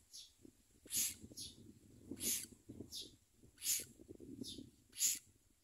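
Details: Common myna nest as adults deliver food to the young: quieter sharp hissing bursts repeat about every one to one and a half seconds, with a soft low rumble between them.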